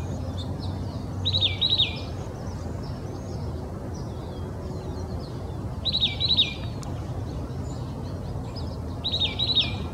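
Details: Oak titmouse singing in Old Torrance, Los Angeles County, California, on January 21, 2020. Three short phrases of rapid, repeated high notes come roughly every four seconds over a steady low background rumble, with faint higher chips between phrases.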